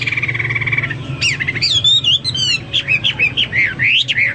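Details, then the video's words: A steady held tone opens, then Hwamei song breaks in with loud slurred whistles, fast trills and repeated short rising notes in quick succession. "Burung Hoa Mi gacor"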